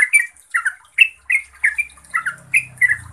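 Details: Gacor-style song of a yellow-vented bulbul (trucuk), meant to prompt silent birds to answer: bubbly, slurred two-part phrases roughly every quarter second, with a soft low hum entering near the end.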